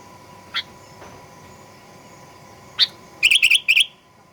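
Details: Sooty-headed bulbul song used to provoke aggressive singing: isolated high chirps over a hissy background, then a quick cluster of four bright twittering notes near the end.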